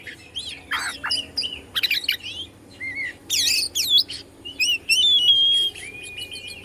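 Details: Oriental magpie-robin of the Bandung type singing to provoke other magpie-robins; harsh, buzzy chatter mixed with looping whistles and long clear held tones, in irregular phrases about three a second.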